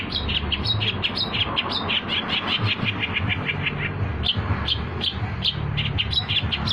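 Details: Trapping lure song of a long-tailed shrike: sustained rapid chatter of harsh repeated notes, with brief pauses and a lower buzzy passage midway, over a low background rumble.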